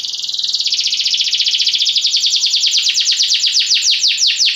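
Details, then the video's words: Belgian canary singing a fast, even trill of high downward-sweeping notes that gradually slows and spreads apart toward the end. "Canários belgas atraem o som das canções preguiçosas dos canários"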